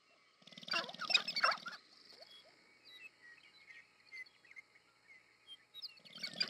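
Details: Courtship display of sharp-tailed grouse, American Prairie Reserve, Montana, USA: a loud burst of cackling, cooing and squeaky chatter, then a quieter stretch of scattered chirps before another burst starts at the end.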